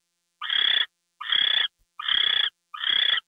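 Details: Owl at night, February 2, 2013, as a gopher arrives: four hoarse, hissing screeches with clear gaps between them.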